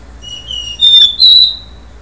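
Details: Short do-re-mi phrase by a capuchino seedeater before its moult: a soft long whistle followed by two louder clear notes, the last slightly higher and held.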